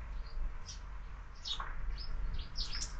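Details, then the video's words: Sparrows at a window-mounted feeder used for year-round feeding; a few short high chirps and tweets scattered over a steady low hum. "Воробьи в кормушке"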